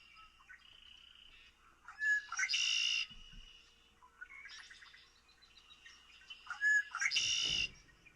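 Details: Red-winged blackbird, a common eastern woodland bird, gives two buzzy "conk-la-ree" phrases about four seconds apart. Each opens with short clipped notes and ends in a harsh rattling trill, over soft background chatter.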